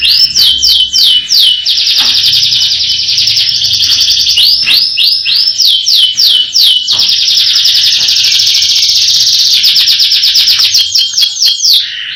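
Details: Canary in powerful roll song, alternating runs of looping down-slurred whistles with long rattling trills, phrases changing every two to three seconds over twelve seconds of unbroken singing.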